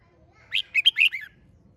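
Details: A lone hót đấu competition phrase from a red-whiskered bulbul, five rich whistled notes that climb and then drop steadily in pitch, over faint low rumble.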